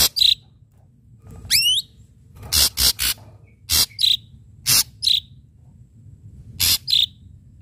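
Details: Ashy drongo singing sharp strikes for a lure track: a rising whistled sweep, then hard broadband snaps alternating with short bright whistles, repeated irregularly over a low background hum.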